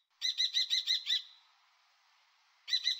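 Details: Common kestrel from Europe and the Jura giving a quick run of about six shrill, piercing kee notes, the last one trailing off, then a pause before another burst begins. Clean recording without other sounds.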